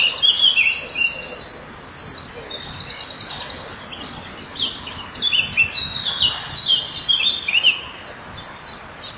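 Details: Common kingfisher pair at the nest, 12 May 2013 at 07:57, as the female hears the male arrive and the male then feeds the young: shrill, thin, high chirps and whistles in near-continuous chatter, with faint background hiss.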